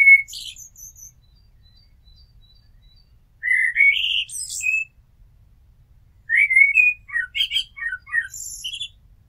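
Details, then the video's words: Common blackbird song: separate phrases with low fluted whistles around two to three kilohertz, each ending in a high squeaky twitter, spaced by pauses of about two seconds, with a quiet background. "Amsel Gesang - Merle Noir Chant - Blackbird Song - Mirlo Cantando"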